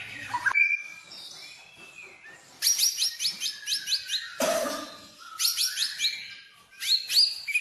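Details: Lure song of a white-rumped shama, meant to set other birds singing, with bursts of sharp high upswept notes repeated quickly, sustained lower whistles between them and a short harsh burst in the middle.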